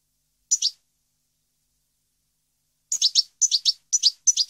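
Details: European goldfinch song, 2015: a lone double chirp, a pause of two seconds, then a steady run of high twittering two- and three-note bursts about every half second.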